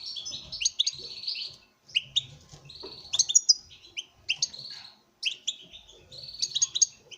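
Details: Male European goldfinch in a breeding setup sings before a female. A dense, continuous stream of tinkling, high twitters and buzzy trills runs in rapid phrases with brief gaps. Faint low background noise.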